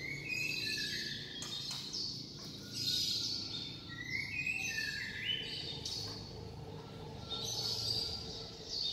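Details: White-rumped shama singing in a noisy setting: repeated high whistled phrases, some sliding upward, heard through a steady hiss and low background rumble.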